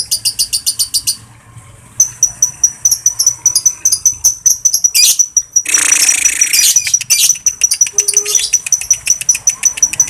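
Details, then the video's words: Caged lovebird calling to other lovebirds: rapid shrill chirping series, a short pause, then a sustained thin whistle mixed with buzzy chatter and a brief harsh noisy burst. "suara lovebird memangil kawan LANGSUNG KONSLET"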